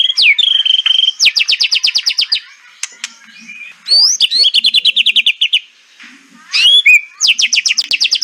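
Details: White-rumped shama in kretekan style, a song for rousing birds gone silent: a sliding whistle, then rapid machine-gun bursts of sharp repeated notes, a pause, more rattling runs, and upward-swept whistles.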